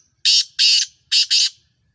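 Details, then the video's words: Black francolin, Sindhi Kala Tetar of Sheedi Chiringa cross, calling loudly: four harsh, raspy, buzzy notes in two pairs, each pair quickly repeated, with silence around them. "Sindhi Sheedi Chiringa Cross Sindhi Kala Tetar Awaz"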